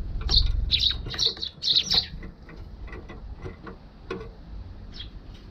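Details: Eurasian tree sparrow flying in to a balcony, filmed with a GoPro HERO6 on 1 December 2021; a quick burst of bright, high chirps in the first two seconds, then softer scattered ticks and faint chirps.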